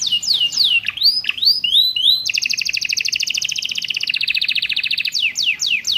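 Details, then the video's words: Canary master song with ciblek and prenjak fill-ins, used to train captive birds. Swooping, dipping whistles open into a long, steady rattling trill lasting about three seconds, ending in several loud descending slurred notes. "MASTERAN KENARI ISIAN CIBLEK PRENJAK MEWAH!!"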